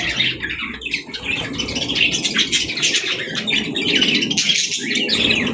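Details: In the morning a pet parrot gives short high chirps and whistled notes, repeated irregularly over a steady murmur of background noise.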